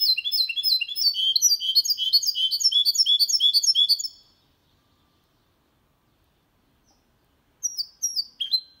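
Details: Goldfinch × canary hybrid singing without errors, used to stimulate males to sing and teach young birds: a fast, rhythmic series of high, bright twittering notes for four seconds, silence, then a few more sharp notes.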